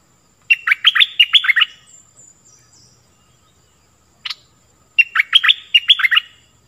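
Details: Stripe-throated bulbul singing for teaching young birds and luring wild birds: two bursts of fast, liquid chirping notes, each about a second long, separated by a pause and a single sharp call.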